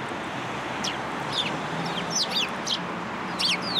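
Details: Sparrows coming to a feeder in a plum tree at a Tenmangu shrine, 14 March 2023: quick, thin twittering chirps with bent pitch, in loose clusters, over constant low background noise.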